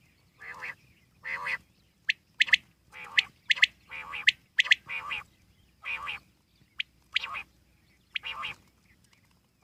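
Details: Wild common quail calling steadily for nearly ten seconds: repeated bursts of clipped, bright notes, some paired and some in triplets, about one phrase a second against a quiet background.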